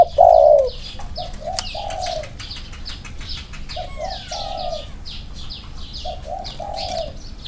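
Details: Spotted dove, one of two birds in Thailand compared for their cooing: one loud coo at the start, then a run of softer, mellow coo phrases, with busy high chirping and a thin whistled call from other birds.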